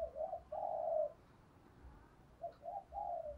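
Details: Distant-sounding spotted dove decoy calling to attract wild males: a few soft drawn coos in two groups over steady low rumbling background noise.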